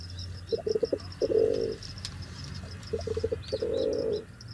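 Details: Two pigeon coo phrases, each opening with quick stuttering pulses and ending in a longer, swelling, purring note. Faint high twittering of other birds continues in the background.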